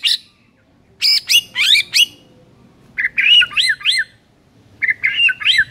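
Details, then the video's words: White-rumped shama master song used to train silent birds: sharp whistled notes and quick rising-falling slurred phrases in three bursts with short silences between. "MURAI BISU DIJAMIN NYAUT GACOR DENGAR MASTERAN MURAI BATU INI"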